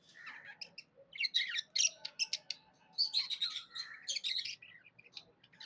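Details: Budgerigar chirping happily, a dense run of scratchy, buzzy warbles and quick chirps in irregular bursts, with some quieter chatter between louder phrases.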